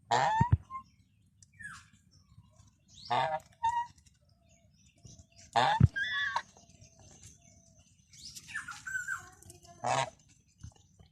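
A goose gives harsh, nasal honks in short bursts every two to three seconds, with softer grunts between, over a low background rumble.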